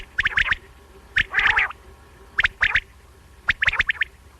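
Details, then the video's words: Quail: short bursts of three or four sharp, clipped notes, repeated about every second, over a faint low hum. "مختلف قسم کے بٹیروں کی مختلف اوازیں Quail sounds"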